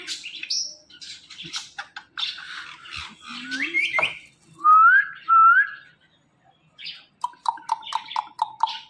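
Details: Five-year-old pet parrot said to talk, repeating "Mittu Mittu": harsh squawky syllables, then two loud rising whistled notes and a quick run of short clipped notes, with music in the background.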